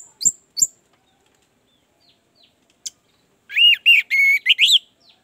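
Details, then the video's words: Orange-headed thrush song as a prompt for a caged bird unwilling to sing: two sharp high chirps, a pause, then a loud run of rich, slurred whistled phrases. "Pancingan anis merah, agar cepat ngeplong"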